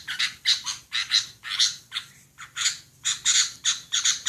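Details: Female sooty-headed bulbul calling: harsh, buzzy chattering bursts in quick irregular series, each a short rasping note, about two to three per second with brief pauses between groups.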